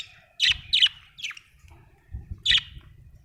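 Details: Budgerigar chirping: four sharp, harsh, squawky chirps in two pairs, with a low rumbling hum underneath.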